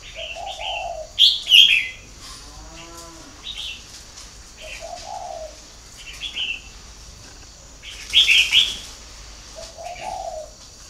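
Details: Captive spotted dove in Ba Vì, northern Vietnam, repeating short soft coos roughly every three seconds, quieter than the loud high chirps and wing flutters of other birds around it.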